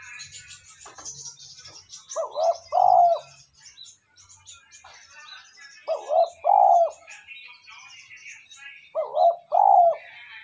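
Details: Spotted dove cooing as a lure call to draw in wild doves: low hoarse coos in pairs, a short note then a longer rolling one, repeated about every three seconds, with faint chirps of other birds behind.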